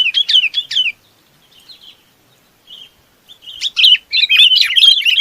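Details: Chinese babax calling to gather its flock. A run of sharp repeated chirps opens, then soft scattered notes, then dense, busy chattering warbles at the end.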